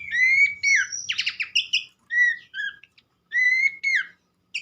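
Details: Horsfield's babbler singing in short phrases, clear upslurred whistles and a rattling buzzy burst, separated by brief silences in a clean recording.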